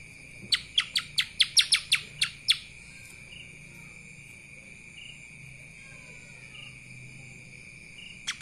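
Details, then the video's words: Lesser green leafbird singing in a kapas tembak style: a quick burst of about nine sharp, bright chirps over two seconds, then a long quiet stretch with a steady high whine, and a few notes returning at the end. "CUCAK ijo mini Fulll suara KAPAS TEMBAK"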